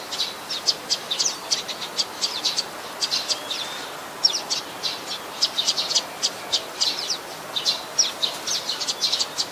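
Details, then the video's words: Adult Common Tailorbird, a common resident, recorded at Ubon Ratchathani, Thailand, on 27 January 2021; sharp, high chirps given in rapid clusters throughout, several notes per second, against a faint hiss. "นกกระจิบธรรมดา (Common Tailorbird)"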